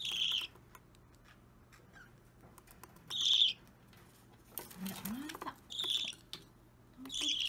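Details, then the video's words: Baby budgerigar, about three weeks old, restless during hand-feeding on 30 March 2017: repeated raspy begging squawks, loud wing-flapping and fluttering bursts midway, and a brief low sliding squeak. "Feeding Baby Budgie/Budgerigar"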